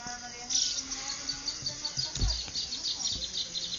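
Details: Wild birds singing at first light on a cattle ranch near Ciudad de Nutrias, Barinas, in the Venezuelan llanos, 12 February 2009; a dense wash of high chirps and thin whistles overlaps continuously, with a few soft low thumps.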